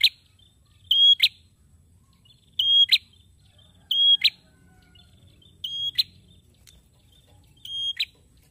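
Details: Male prinia singing eagerly: high, steady whistled notes each ending in a sharp snapping click, phrases repeated about every 1.5 seconds against a faint low rumble.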